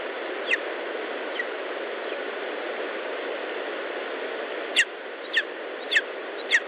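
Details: Lesser spotted eagle at its nest in Estonia, 19 July 2012, 10:54: four sharp, downward-sliding yelping notes about half a second apart near the end, after fainter ones, over steady loud hiss.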